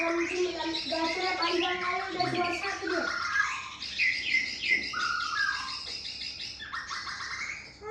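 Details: Male white-rumped shama singing a rich, varied song: low harmonic whistled phrases in the opening seconds, then high buzzy trills and bright sliding whistles, with quick notes delivered in irregular bursts.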